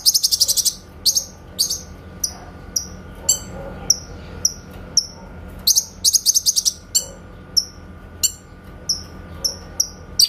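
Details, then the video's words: Grey-cheeked bulbul giving its shooting-style 'tembakan' song, used as a master for training shamas: repeated dense bursts of piercing high notes alternate with isolated downslurred chirps over about ten seconds. "MASTERAN BURUNG CUCAK KINOY SUARA TEMBAKAN JERNIH"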